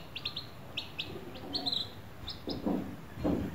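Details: Baby chickens hatched in a homemade incubator, eating sweetcorn: a few short high chirps come in quick bursts early on, then soft low knocks and thuds follow, likely pecking at food.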